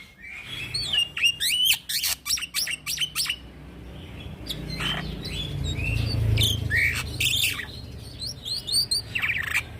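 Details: Young black-winged myna singing in 'gacor ngeroll' style, used as a lure for training birds: scratchy bursts and short whistled notes in quick succession, over a steady low rumble of background noise.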